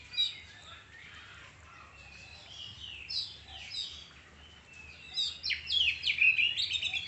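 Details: Oriental magpie-robin, known locally as kacer, singing in a varied run of high whistled notes and rapid chirps with sweeping slurs, growing louder and denser toward the end over faint low background hum.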